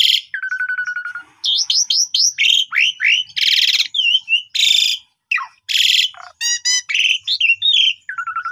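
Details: Energetic afternoon song from an Asian pied starling, meant as a lure for young birds: long level rattling whistle, strings of upswept chirps, rasping bursts and ringing stacked notes in quick succession.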